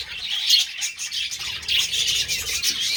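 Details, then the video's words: A short burst from budgies during mating: sharp squawky chirps over a bright, buzzy warble, getting louder after a brief lull halfway. "Budgies parrot Mating"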